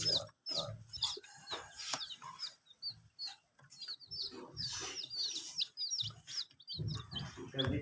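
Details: Young domestic chicks drinking water under provided heat and veterinary care; sharp high peeps, each rising then dropping, pour out in quick irregular runs, with knocks and low rumbling between.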